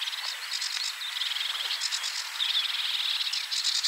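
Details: Sedge warbler at coordinates 53.286375, 22.608654 giving a fast, dry stream of churring, rattling notes and short buzzy trills, interspersed with brief thin chirps, steady and unbroken.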